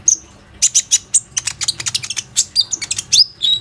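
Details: Plain-throated sunbird singing a lure song meant to draw other sunbirds into singing, recorded on an Oppo A37f phone: rapid bursts of sharp, high chirps and short twittering notes, ending in a few thin upslurred whistles.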